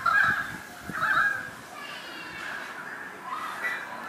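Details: A currawong atop a lamp post gives two loud, ringing, slightly nasal calls about a second apart, then softer, drawn-out notes trailing off.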